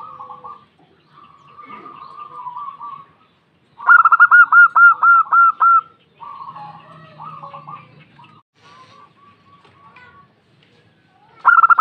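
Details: Soft, low cooing from a female zebra dove answering, broken by a loud burst of rapid staccato notes in the middle and another starting right at the end.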